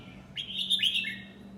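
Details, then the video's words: A nine-month-old red-whiskered bulbul gives a single 'lak wai' style phrase: a clear whistled run that climbs and then slides down in slurred notes, lasting about a second, with a steady low background hum. "นกกรงหัวจุก "ลากหวาย""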